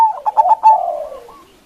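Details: Local zebra dove with a big voice, used as a lure to provoke rivals: a bright whistled opening note breaks into four quick stuttering coos, then fades into a soft, falling, rolling purr.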